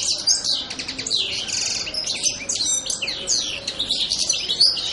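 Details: European goldfinch calling in a dense, continuous high twitter of quick tinkling notes and short buzzy trills, sustained throughout with no pauses.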